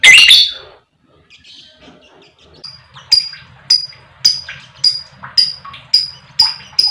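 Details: Lovebird in full chattering song, meant to lure other lovebirds, male or female, into long bouts of ngekek singing; a loud harsh burst opens, then sharp high chips repeat about every half second.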